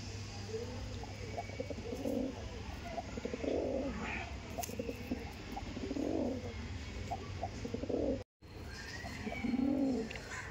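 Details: Giribaz pigeons giving soft, low rounded coos in short bursts every couple of seconds, set against a constant low hum, with a brief silent gap near the end.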